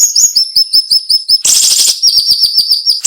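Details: Tutor recording of cinnamon-bellied flowerpecker song, sharp and tightly packed 'nembak' delivery: a quick string of high, thin upslurred notes about eight per second, a loud hissing burst midway, then more rapid notes.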